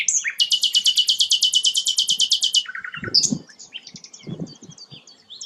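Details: Rare sikatan londo flycatcher delivering a long, very even high trill of about twenty rapid buzzy pulses, then a lower short rattle, followed by scattered thin notes and a few low knocks in the background.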